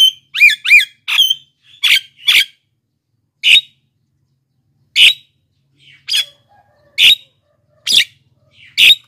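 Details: Black-winged myna in lively song, used as a lure and as a model for reluctant singers: opens with rapid wavering whistled notes, then a series of harsh rasping squawks spaced about a second apart.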